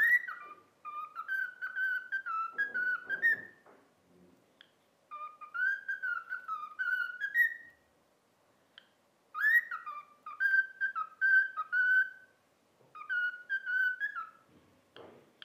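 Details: Trained cockatiel whistling the children's song "If You're Happy and You Know It" indoors: repeated phrases of rising and stepping whistled notes, each several seconds long, separated by pauses, with light rustling and clicks.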